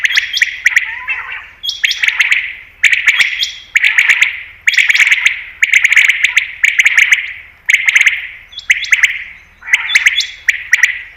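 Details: Common quail sound meant to lure quail for hunting. Buzzy grating phrases with high flat whistles, repeated about once a second in a steady series of bursts.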